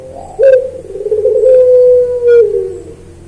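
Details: Master recording of a puter pelung dove singing. One long, deep, level coo lasts about two seconds and sags slightly at the close, with brief clicking sounds at the start and near the end.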